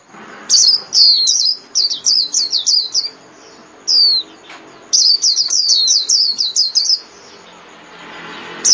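A Japanese white-eye sings rapid runs of high, thin, twittering notes in two bursts of about two and a half seconds each, with brief pauses and faint room noise between.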